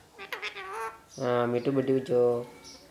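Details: Parrot kept as a pet, imitating human words such as 'mummy' and 'papa': a thin, nasal, wavering syllable, then three louder, rich, buzzy, speech-like syllables in quick succession, indoors.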